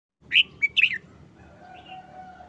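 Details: Caged red-whiskered bulbul, recently uncovered after a month-long moult and looking listless, gives a short, simple song phrase of about four bright, warbled notes in under a second, followed by faint steady tones of other birds.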